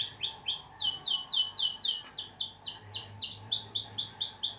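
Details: Canary of the paut type, used as a master song to get birds singing. Rapid rolling trill of fast down-slurred whistled notes, about four per second, shifting pitch in phrases, with faint low hum beneath.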